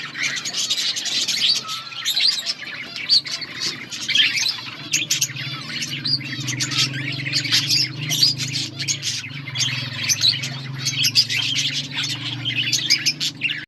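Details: Lively chirping and warbling from a budgerigar colony kept outdoors, a continuous flock chatter heard over a constant low droning hum.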